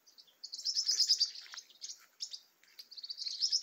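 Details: A flock of Green-rumped Parrotlets in Caatinga scrub with tall trees, giving dense, high chattering twitters in bursts, overlapping rapid chirps with brief pauses.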